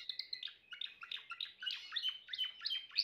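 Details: Timbrado canary in full song: rapid chirped and warbled notes strung tightly together, high-pitched and varied, with no pauses across the short stretch.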